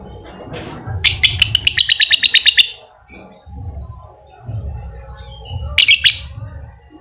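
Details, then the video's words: Lovebird ngekek song, used to coax a quiet lovebird into singing: a fast, high, rattling chatter of rapid repeated notes lasting about two seconds, a later short chattering burst, and low background rumble. "Pancingan Lovebird malas bunyi, agar aktif Ngekek"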